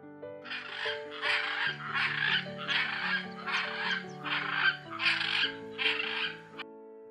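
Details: A hyacinth macaw gives eight loud, harsh, raucous squawks in steady succession, under half a second apart, over soft background music.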